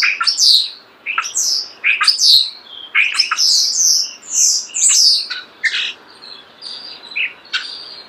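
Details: Up-close starling song of repeated shrill, squeaky downslurred notes in quick bursts about every half second, trailing off into softer scattered chirps.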